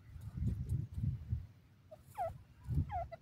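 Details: Dakhni teetar, a partridge, calling with two quick descending whistled notes, each sweeping sharply downward, heard near the end after low thumping rumbles.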